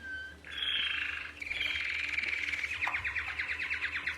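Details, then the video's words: A male canary sings a sweet whistled opening, a bright sustained trill, then a fast run of about a dozen notes per second. It includes 'sexy syllables' attractive to females, made by both sides of the syrinx at once, duetting with itself. "Birds like this canary. Let's listen to the song of the canary."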